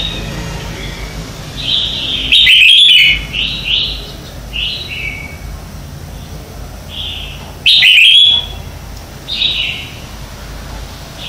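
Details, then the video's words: Red-whiskered bulbul morning song used to train and stir birds into singing: a lively series of short whistled, warbling phrases with two loud emphatic bursts, repeated over eleven seconds against a quiet low hum. "Luyện Chào Mào hót sáng hay nhất - To - Rõ - Vang"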